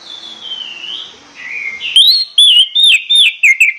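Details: In the morning, an orange-headed thrush sings to rouse birds into song: a soft, drawn-out wavering whistle, then a lively series of loud, clear, slurred notes delivered in quick bursts.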